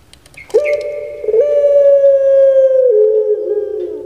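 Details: Collared dove of the puter pelung kind, kept by its owner, opens with a brief rough note and jumps into a long sustained coo of about one and a half seconds. The coo ends by stepping down to a lower, slightly wavering tone.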